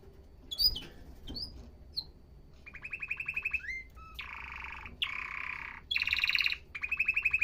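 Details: Quieter canary song with scattered high chips, then rolling buzzy trills in several short bursts separated by brief gaps, over a low background rumble.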